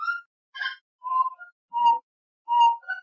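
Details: Gray-necked wood rail (saracura-três-potes) from Brazil: loud, clear whistled notes near one kilohertz, some with a harsher, rasping burst, given in a rapid broken series of about five phrases.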